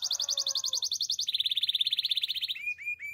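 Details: A Belgian canary sings in the morning, a high rapid pulsed trill dropping to a slightly lower fast rolling trill, then a few short rising whistled notes.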